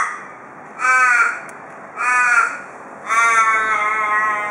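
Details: A male Australian raven visiting a porch in Perth gives the local "cock a doodle doo" call: three harsh, nasal caws about a second apart, the last drawn out and falling away into a long wail.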